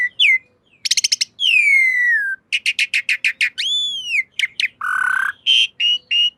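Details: Asian pied starling song used as a master recording for cage birds: mixed rattles, a long gliding downslurred whistle, quick repeated notes, an arched whistle, a low harsh note and brief high calls.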